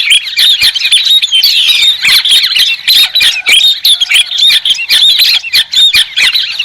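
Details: White-crested laughingthrush song as a continuous jumble of raucous squawks and thin whistled squeals, crowded together with brief dips in loudness.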